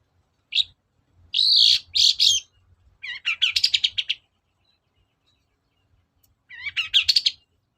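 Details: Lure song of a long-tailed shrike, or cendet, meant to stir silent birds into answering: harsh, scratchy bursts in two quick clusters, a rapid chattering run, then a pause before another chattery phrase.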